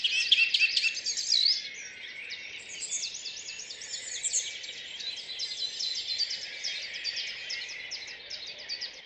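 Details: Birds singing in a city park in Rheine, early morning in May, recorded on four tracks: a dense high chorus of rapid twittering and trilled phrases from several birds, continuous throughout.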